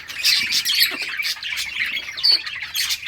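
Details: Playing budgies in a summer breeding colony: loud harsh squawks and chirps overlapping, with a clear high whistled note near the end.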